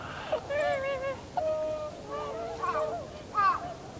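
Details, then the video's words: Cygnus columbianus, Tundra swans calling in a winter flock on 7 February 2015; rich, hornlike nasal notes, some wavering and some held flat, several birds answering one another. "コハクチョウ "Cygnus columbianus" の鳴き声。"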